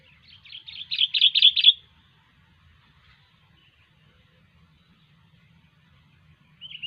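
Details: Gacor singing from a sooty-headed bulbul: a quick rising series of about six bright, loud, clipped notes lasting under two seconds, then near silence until a final short note.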